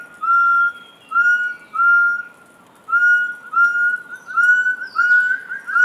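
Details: Rufous-throated partridge (Arborophila rufogularis) calling with crescendo notes at the end: a series of pure whistles repeated about every half second, at first spaced and steady, then quickening and rising slightly into a closing crescendo.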